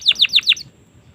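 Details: Domestic canary singing four quick, loud downward-slurred whistles, evenly spaced, then silence.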